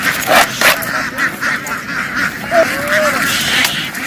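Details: Farm ducks in a field, having run into the water and jumped quickly ashore, give loud harsh quacks in bursts about every half second, with one drawn-out nasal call near the end over a busy flock murmur.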